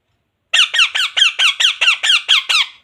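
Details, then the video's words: Talking parrot, said to say words like 'mummy' and 'jay shree ram'. A fast series of about ten bright, squeaky, downward-sweeping notes, roughly five per second, loud and close. "parrot talking jay shree ram"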